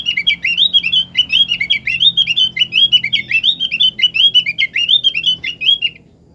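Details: A Javan grey-throated white-eye (opyor), used as a lure to get other opyor birds singing, gives a fast, unbroken stream of high, sweet twittering chirps for about six seconds before stopping, over a faint low hum.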